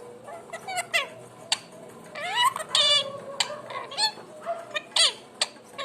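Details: Pet parrot producing a varied mix of sounds: rising and falling whistles, a buzzy harsh note, and scattered sharp squeaks and chirps in an irregular sequence.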